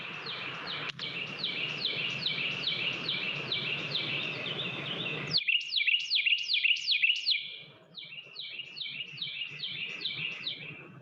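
A Carolina wren's loud, rolling song: about two ringing downslurred notes a second, repeated in a rapid chant. A low hum fills the first five seconds.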